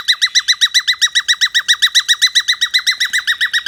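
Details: Pet cockatiel, described as singing and sleepy, giving a fast, even run of rising chirped notes, about four per second without a break.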